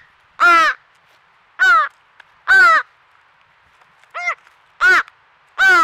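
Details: Crow fledgling crying at a squirrel feeder in Nova Scotia, Canada, its family nearby: loud, close, raspy caws repeated roughly once a second, six strong calls and one shorter, thinner one.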